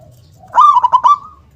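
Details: A local zebra dove, singing actively, gives one loud, powerful phrase: a soft lead-in note, then a quick rolling run of clipped coos that ends in a firm 'kung'. Low background hum.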